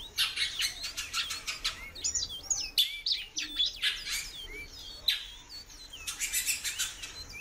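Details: Great-billed seed finch, a female calling a lot. Looping, curled whistles and short rising slurs come in busy runs, interrupted by bursts of sharp clicks and scratchy rustles.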